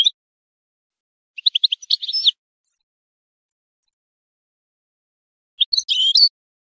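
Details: Short bursts of high, clipped goldfinch twittering separated by long silences: a quick cluster of chirps near the middle and a brief jumbled phrase near the end, from a tape for tutoring chicks and songbirds.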